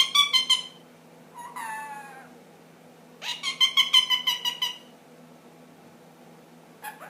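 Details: Pet ring-necked parakeet aged ten months, indoors, producing odd noises: quick bursts of rapid, raspy, pulsed notes, a falling drawn-out harmonic call between them, and a final brief burst, over a faint hum.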